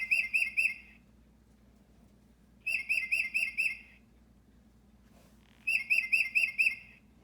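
A tufted titmouse gives three quick runs of four or five clear, whistled notes, spaced about three seconds apart, over a faint low hum.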